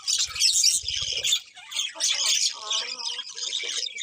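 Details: Colourful budgerigars produce rapid scratchy chatter with some lower, tonal, voice-like warbles mixed among the high chirps.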